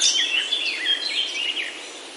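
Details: Birds singing in a Himalayan oak forest, Himachal, India: short warbling whistled phrases sliding up and down, loud at first and fading after about two seconds.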